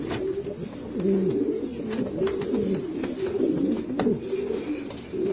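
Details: Spanish Granadino pigeons cooing: low, throaty rolling coos from overlapping voices, rising and falling in steady waves, with sharp clicks and taps scattered throughout.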